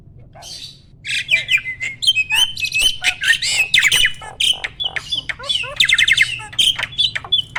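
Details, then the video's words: Mature male Asian pied starling in full breeding condition, pumping while singing: a dense run of loud chattering, grating and whistled notes, with rapid rattling bursts packed almost without pause. "BURUNG JALAK GACOR MOMPA-MOMPA!!! JANTAN TULEN."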